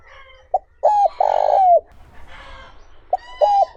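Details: Spotted dove coo in the 'trơn ròng' (smooth, pure) voice, used to lure wild doves. A full phrase of a brief note, a double note and a drawn-out buzzy coo sliding down at the end, then the next phrase begins.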